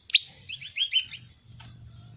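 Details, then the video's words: Prenjak lumut prinia calling 'ceng-ceng': one loud sharp note followed by a rapid, rolling series of rising whistled upslurs, ending in a faint thin tail of hiss. "suara asli khas prenjak lumut(ceng2)"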